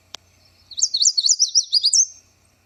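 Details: A Yellow Warbler singing in wetland shrubs gives a fast, sweet, rich phrase of about eight slurred notes in a second and a half, ending on a higher note, after a sharp chip.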